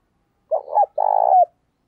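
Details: Decoy spotted dove cooing eagerly to stir up other doves: a brief two-part hoot, then a long vibrating coo that ends in a clear falling slur, in quiet surroundings.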